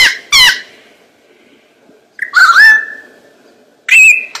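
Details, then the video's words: Courting lyrebird mimicking other sounds for a female, giving loud separated phrases: a quick pair of bright descending squawks, then a drawn-out falling whistled squeal, then a sharp high squeak. "The sound of a rabble harp imitates all sounds to court the female, rattle harp mating"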